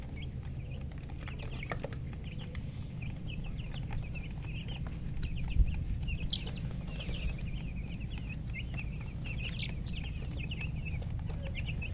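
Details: Chickens chirping, colour chicken with murgi hen: many short high peeps, some rising and some falling, overlapping steadily throughout, over a constant deep low hum and occasional soft clicks.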